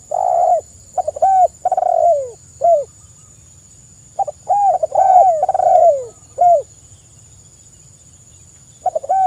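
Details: Spotted dove (tekukur) singing, used as training and lure song to make other tekukur call: two phrases of low, hoarse coos, each with a quick stuttered start and drawn-out falling notes, then a new phrase beginning; faint steady high whine behind.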